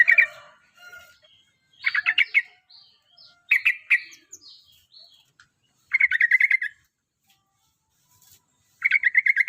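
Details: Yellow-vented bulbul from Java, a bird being prepared as a future singing champion, gives loud bubbly chattering bursts under a second long, repeated every two to three seconds, with softer twitters between them.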